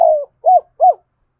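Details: Fragment of spotted dove cooing: the tail of a long, falling, rolling note, followed by two short arched coos, low and soft.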